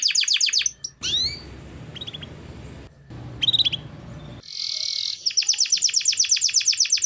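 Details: Energetic canary song played to prompt lazy canaries: a short fast trill, a rough noisy middle with scattered upswept chirps, then a buzzy note and a closing rapid trill.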